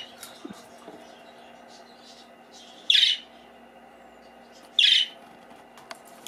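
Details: Young cockatiels just out of the nest box, trying to sing: two loud, harsh, raspy squawks about two seconds apart, with faint soft squeaks and a steady low background hum between them.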